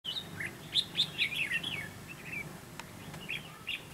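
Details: Red-whiskered bulbul used as a fight-trap decoy gives a quick run of bright, liquid whistled notes, then scattered chirps after a short pause, with faint hum. This is a territorial challenge song that provokes rival males.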